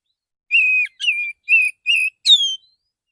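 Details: Relaxed morning song of a male Oriental magpie-robin calling to other magpie-robins: a series of five pure steady whistles, evenly spaced, ending with a higher note that slides downward.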